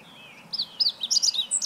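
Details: Singing Meadow Bunting recorded 20 March 2015. It gives a quick, tumbling series of high twittering and slurred notes, rising to thin, piercing squeaks at the end, with little else audible.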